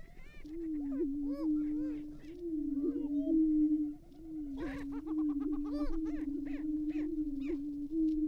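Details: Displaying Greater prairie-chickens on a restored Minnesota prairie lek at dawn in April 2019, males harassing a young bird. A low steady hum persists beneath short rising whoops and sharp cackles that come every second or so.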